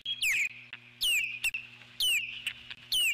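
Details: An eagle calls in alarm from her nest while an intruder circles nearby. Sharp, high whistled notes slide steeply downward, then trail off in a thin tone, repeated about once a second, over a low hum.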